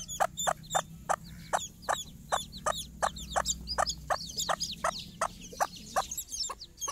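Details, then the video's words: Hen leading young chicks out for a morning walk, their first outing under her care; rapid regular clucks almost twice a second with a steady chorus of high, rising chick cheeps over a low background hum. "mothers hen call her babys for morning walk"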